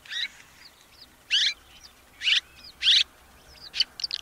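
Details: Swallow in Russia giving harsh, grating buzzy notes roughly every second, with thin whistled slurs woven between them.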